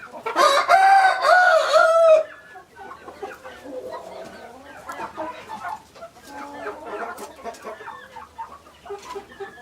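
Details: Rooster crowing: a loud, harsh, harmonic cock-a-doodle-doo of about two seconds with stepped pitch, followed by softer clucking and chatter from other chickens in the background.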